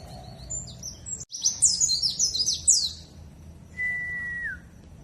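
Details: Dakun warbling white-eye from Bondowoso, East Java, in luring song to prompt others to sing: a rapid tumbling burst of very high sharp chirps, followed by a steady whistled tone that slides down at the end.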